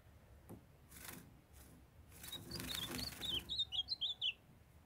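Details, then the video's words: Ultramarine grosbeak, a young male singing while a female calls to stimulate him: a rustling, scraping noise opens, then an accelerating string of bright, looping high whistles grows louder to the end. "MINHA FÊMEA DE AZULÃO CHAMANDO PARA ESQUENTAR🔥MEU AZULÃO JOVEM CANTANDO"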